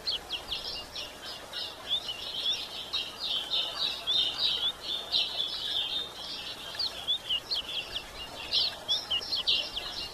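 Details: Female yellow-bellied seedeater calling to stimulate males: a dense, continuous run of high, thin chirps and short twittering notes, steady throughout with quick uneven pulses and faint background hiss.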